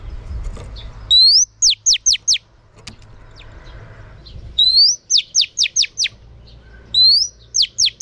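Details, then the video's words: Female oriental magpie-robin song aimed at stimulating males: three phrases, each an upward-sliding whistle followed by quick high falling notes, over low background rumble with a single sharp click. "Choè than mái kích trống hay nhất"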